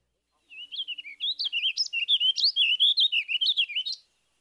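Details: Warbling vireo (Vireo gilvus) song in an evenly measured tempo: a fast, rambling run of slurred, burry warbled notes over about three and a half seconds, ending on a distinct rising upward note.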